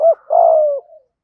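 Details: Caged decoy spotted dove in 'thổ' voice cooing to lure wild doves: a short hollow note followed by a long, steady, slightly falling coo.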